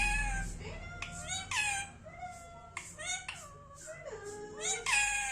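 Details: Indian ringneck parrot at home, drawing out long, nasal, sliding tones, some dropping and some rising, broken by sharp chirps, one after another for five seconds with a low hum beneath.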